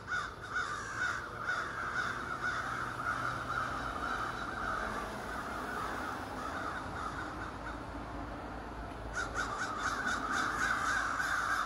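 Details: Around thirty ravens living in trees across a street call in a dense, overlapping morning chorus of harsh, rasping croaks, about two a second, over a steady background hiss.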